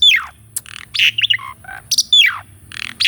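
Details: Asian pied starling song used to stimulate a caged starling to sing; steep descending whistles open and recur, with buzzy broadband bursts and short warbled notes between them, over a low hum.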